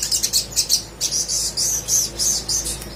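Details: Sogok ontong sunbird in full, energetic song meant to prompt lazy birds into singing: quick bursts of sharp, very high-pitched chirps, followed by a continuous shimmering twitter.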